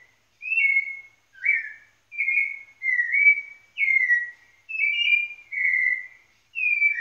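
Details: Song of a white-necked thrush from Pernambuco, Brazil, made of rich whistled notes that waver and dip, one phrase roughly every second in an even, unhurried series with short silent gaps.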